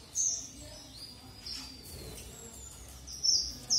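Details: Red avadavat song: sharp, very high squeaky notes linked by a long thin descending whistle, then more bright high chirps at the end; quiet background.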